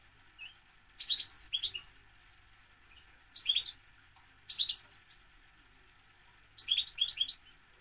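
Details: European goldfinch delivering four bursts of rapid, high, jingling twitters, each under a second long, spaced a second or two apart against a quiet hum.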